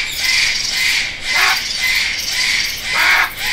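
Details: Parrot calls: loud, harsh, broadband screeches, each lasting about a second, repeated roughly every one and a half seconds with short dips between them.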